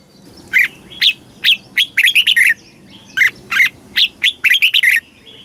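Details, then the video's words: In Thailand, a caged Red-whiskered bulbul gives southern master-style song to rouse caged birds and teach young birds; evenly spaced loud whistles leading into quick rippling runs, the pattern repeated twice across five seconds. "เสียงนกกรงหัวจุก สำหรับต่อ หรือ เปิดให้นกคึก"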